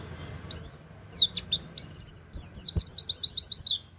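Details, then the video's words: Oriental white-eye delivering its "wit wit" canary-like master song: high, thin whistled notes accelerating into a fast trill of rapid downslurred chips, clear against a quiet background. "pleci nembak wit wit kenari cocok buat masteran"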